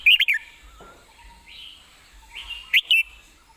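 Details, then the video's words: Caged red-whiskered bulbul giving brief whistled notes: a short warbled phrase at the start and another pair of bright notes near the end, with faint thin whistles between. "ยืนร้องชิวๆ"สำนวนดี ปากไว"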